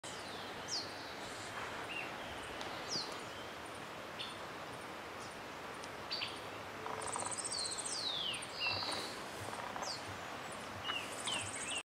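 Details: Grayish Piculet (Picumnus granadensis), an endemic species: thin, very high, downslurred squeaky notes every few seconds over a steady background hiss, with other birds' chirps mixed in.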